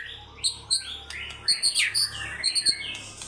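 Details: White-rumped shama singing hard in fighter style, showing off its varied repertoire: high whistled phrases at very high pitch, sharp upswept notes and short bright bursts, several phrases spaced about a quarter second apart. There is a faint low hum beneath.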